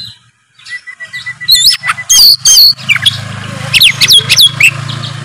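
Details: Oriental magpie-robin singing hard in 'narung' challenge mode, played to trigger a quiet bird: a thin repeated note at first, then loud whistled swoops and harsh bursts over a constant low background hum.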